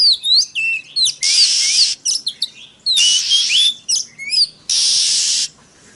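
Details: Oriental magpie-robin (kacer) lure song to stir other birds: quick high whistles and chirps alternating with three loud, harsh, buzzy bursts, each under a second long.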